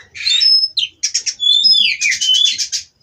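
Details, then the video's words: A rasping burst opens this caged Oriental magpie-robin's song, followed by a pure high whistle, rapid scratchy trills and a sliding whistled flourish. "Terapi Burung Kacer Agar Stabil di Pedok"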